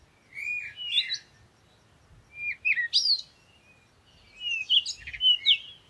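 A parakeet gives three bursts of shrill, chattering chirps with squeaky upslurred notes, each burst lasting about a second, over faint background hum.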